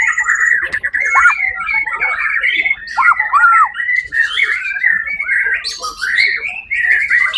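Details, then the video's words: White-rumped shama, a first-place winner at a songbird competition held 1 October 2023, singing a rich run of whistled phrases around mid-high pitch, with sharp down-and-up slurred notes and scratchy bursts, barely pausing. "murai batu"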